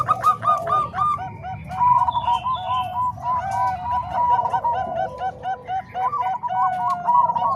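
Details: Zebra doves, a mix of Bangkok and Cemani Kolbuntet voices used as a model for training doves. Dense, continuous, chuckling coo phrases from more than one bird overlap throughout, with short sharp ticks scattered among them.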